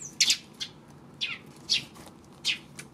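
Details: Sparrow recorded on 26 May: five or six separate sharp chirps spaced about half a second apart, some sliding downward, with quiet hiss between them.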